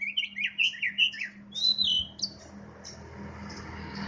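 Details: Caged Oriental magpie-robin, kacer poci type, sunning in the morning: a quick string of warbled, rising notes, then a clear downslurred whistle and soft high trailing notes fading into hiss.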